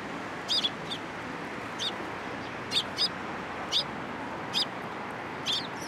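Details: Sparrows coming onto a hand to be fed at a Tenmangu shrine in Japan, April 2023: short sharp chirps, single or in quick pairs, spaced irregularly about every second over a steady broadband background hiss.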